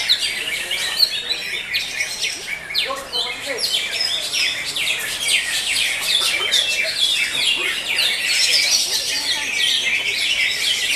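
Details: Several caged greater green leafbirds sing together at a bird singing competition in Tangsel, session 5. Dense, overlapping bright chirps, rapid twittering phrases and sharp downward slurs run without pause, with no clear single singer.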